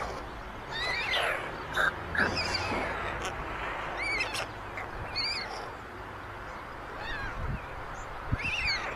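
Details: Nest of white storks on a chimney in Ságvár, Hungary, near meadows and wetlands, May 22, 2024, where older chicks grab food from the youngest; sparse, arched, whining calls sound between quieter stretches and a faint low hum.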